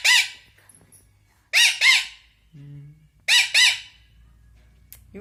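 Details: A pet Indian ringneck parrot, described as angry and scolding, gives harsh, nasal, speech-like squawks in paired bursts about every second and a half, with a low human voice briefly between them.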